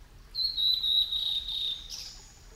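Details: Male blue-and-white flycatcher at Yamada Ryokuchi, Kitakyushu, Fukuoka, Japan, filmed over ten years ago on a broadcast camera: one long, clear, high whistle holding steady, ending in a brief higher note, over a quiet background.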